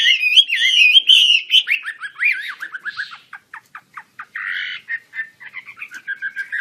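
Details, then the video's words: Chinese hwamei singing actively while opening its wings: loud, rich whistled phrases with rapid slurred notes, breaking into a series of short chips and a burst of buzzy notes, then resuming varied whistles. "KICAU HWAMEI WAMBI KEMBANG GACOR BUKA SAYAP"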